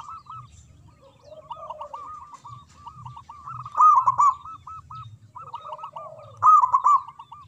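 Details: Local Indonesian zebra dove singing with a big voice: runs of rounded, cooing notes near one pitch, with louder bursts around four and six and a half seconds and lower, softer coos underneath.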